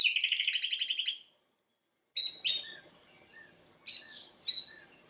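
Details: Canary training song: a fast pulsing trill at two pitches, then after a pause scattered soft chirps and short whistled notes.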